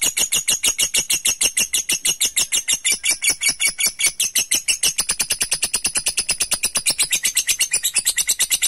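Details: Lovebird ngekek panjang, a long chattering song to provoke and call an opponent: fast, continuous high-pitched rasping notes, speeding up slightly midway, running nearly nine seconds without pause.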